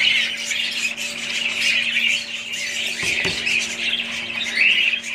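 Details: Budgerigar flock in a constant high squeaky babble of mixed chirps and warbled squawks, a soft knock partway through.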